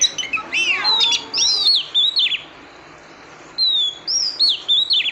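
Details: Female oriental magpie-robin calling to stimulate the male: a rich run of varied high whistles, slurred and warbled notes, then a short pause before another phrase of rising and falling whistles.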